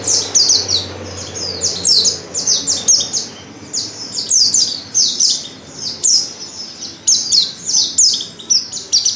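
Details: Female white-eye in heat calling to a male: a dense, rapid stream of thin, high, downward-slurred chirps, overlapping and tumbling almost without pause over nine seconds.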